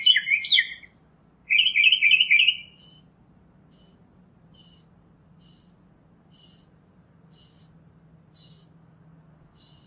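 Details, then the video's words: Wild northern mockingbird song opening with dense, harsh chattering bursts, then shifting to a string of short, thin high notes repeated about once per second, each a brief clipped chip over a soft low hum. "Birds Singing - Northern Mockingbird"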